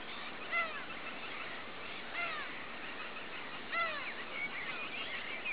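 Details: Mediterranean gull carrying a white ring, 14 May 2010: three clear nasal, downward-slurred yelping calls spaced about one and a half seconds apart, with a busy chorus of fainter gull calls behind.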